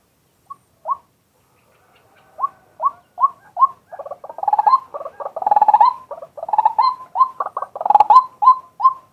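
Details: Male White-breasted waterhen, daytime decoy calling recorded live with a set camera: a few spaced hooked notes build into a fast, jumbled stuttering chatter, then ease back into separate notes.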